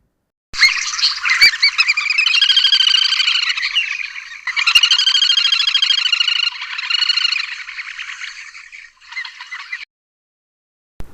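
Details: A Little Grebe, a Southern African species, gives its long, high, rapid whinnying trill, running almost unbroken for about nine seconds with slight rises and falls in pitch.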